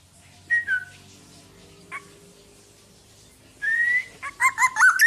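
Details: Black-naped oriole singing vigorously, recorded as master audio for training other songbirds: a short liquid whistle early, a long pause, then a rising fluty note followed by a burst of quick, looping whistled phrases near the end.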